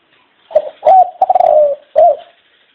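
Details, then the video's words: A single dove phrase: a brief opening hoot, a longer trembling coo that slowly falls, and a short closing note, low and mellow. "Chim Cu Chào Đón Tất Cả Mọi Người"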